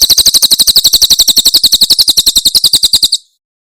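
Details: Javan prinia singing the 'tembakan' Cililin style, meant to teach other songbirds: a rapid burst of shrill, high-pitched chirps in even rhythm, stopping abruptly and leaving a short silence.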